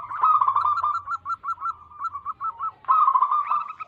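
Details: Zebra dove of local wild origin singing, recorded to attract wild doves: a quick run of crisp looping coos, a slower stretch of spaced notes, then a loud rolling burst.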